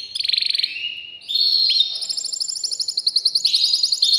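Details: Male canary song aimed at exciting a female for breeding: a fast pulsed trill, a rising whistle, then a long rapid rattling roll of high notes.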